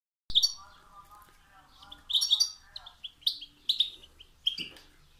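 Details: European goldfinch singing: bright, liquid twittering phrases of high tinkling notes in irregular bursts, with a softer lower murmur running beneath the first half.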